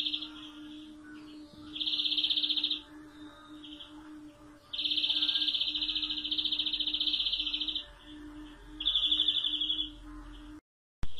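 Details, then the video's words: European greenfinch song of repeated fast rolling trills in several bouts of varying length, the longest about three seconds, over a constant low mechanical hum, ending in a brief cut of silence. "Greenfinch Song"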